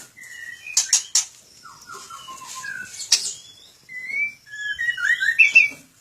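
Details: Captive white-rumped shama in a breeding aviary. A rich, varied song of clear rising and falling whistles and quick high twittering runs, with a few sharp bursts, flowing almost without pause.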